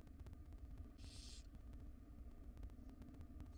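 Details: Nest box of wild barn owls, the female feeding her tiny young; one half-second rasping hiss early on, then only steady low hum and faint clicks.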